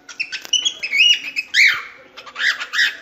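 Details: Cockatiel chattering warble: thin wavering whistles and scratchy notes, a strong slurred whistle sliding downward near the middle, then quick buzzy chirps to close.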